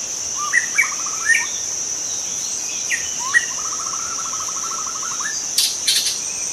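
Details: White-rumped shama from the wild forest, song for luring other shamas: rising notes leading into fast rattling trills, two phrases, with a steady shrill insect drone and a few sharp clicks near the end.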